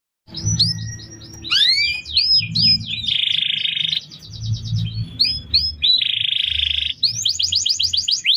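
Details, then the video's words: Canary singing for use in training other birds: loud varied song of rising slurred whistles, fast buzzy trills near the middle and a rapid run of repeated notes at the end, with low background hum. "Masteran burung kenari"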